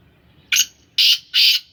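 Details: Owned black francolin, a tall, long-tailed bird of the Sindhi Gangas strain, calls in three harsh, scratchy bursts, a brief first note followed by two longer grating ones about a third of a second apart, against quiet background.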